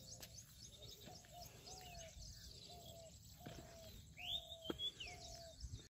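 An Indian peafowl chick gives soft, short whistled peeps, roughly two per second, with a sharper high chirp near the end over a low background hum.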